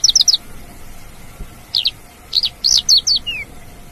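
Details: Lark heard in the wild, giving short, high, sharp chirps in small groups, then a phrase of varied bright notes ending in a brief descending slur.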